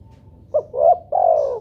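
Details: A single coo phrase from a spotted dove, used as playback to make doves call: a brief low hoot, then a swelling note, then a drawn-out mellow coo that dips slightly at the end.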